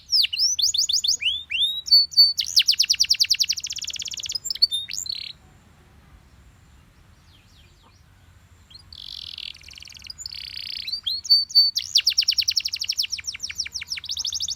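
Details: A yellow Belgian canary sings loud, fast rolling trills and bright chirped phrases, breaking off for a few seconds midway before resuming; a faint low hum sits underneath.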